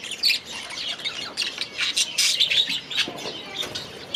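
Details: Young budgerigars newly moved into an aviary: steady high-pitched chattering and squawky chirps, several birds calling over one another.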